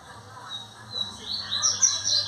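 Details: Two male double-collared seedeaters disputing in a breeding aviary on 1 January 2025; quiet at first over a low hum, then high rapid twittering and sharp whistled notes build up and grow louder.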